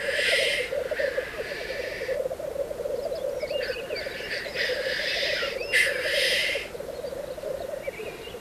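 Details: Black grouse courtship at the lek in pre-dawn dark: constant low bubbling rookooing under long harsh hissing bursts at the start and from four to six and a half seconds, with faint thin chirps between.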